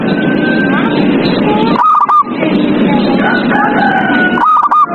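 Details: Zebra dove song recorded at night to prompt captive doves to sing: two short bursts of rapid stuttered whistled notes about two and a half seconds apart, with faint drawn tones beneath steady loud hissing.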